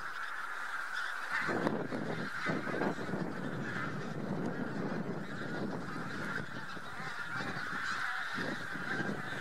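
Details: Bean Geese, with a few White-fronted Geese among them, passing in a huge flock over Central Poland in spring, March 2018: a constant wall of overlapping honking, with deep rumbling noise setting in after the first second and a half.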